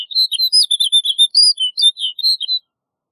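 A snow bunting sings a quick, jingling phrase of clear high warbled notes for about two and a half seconds, with no other sounds.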